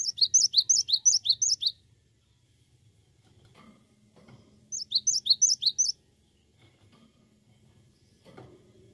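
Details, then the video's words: Cinereous tit, known locally as gelatik batu, delivering two bursts of high, rapid chirping phrases, each about one and a half seconds long, separated by a few seconds of quiet with faint knocks and rustles. "Awas Gelatik Batu anda Ikut Gacor"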